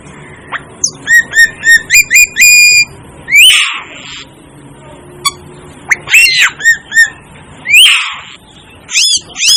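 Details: Asian glossy starling giving a rapid series of clear, ringing whistled notes, about four per second, then louder rasping squawks repeated at intervals.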